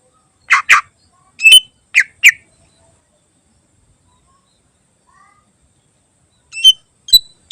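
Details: Greater green leafbird song meant to train other birds, heard as scattered sharp, harsh chirps in pairs, separated by long quiet gaps, with a few thin high notes near the end.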